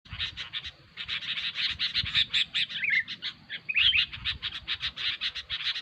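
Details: Sooty-headed bulbul giving noisy, busy calls: dense bursts of rapid, harsh chattering notes repeated several times a second, with a short pause near the middle and a few brighter whistled slurs.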